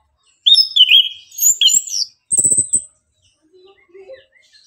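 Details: Morning song of a caged orange-headed thrush, played to excite birds into singing: quick high whistled and twittering notes, a thin piercing high whistle over a short rattling buzz, then soft low notes trailing off.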